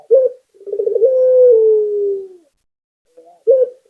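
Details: Spotted dove, a local puter bird, gives one full cooing phrase: a brief opening note, a quick rolling trill, then a long sustained coo sliding gently downward. Another short coo begins near the end, with no other sounds.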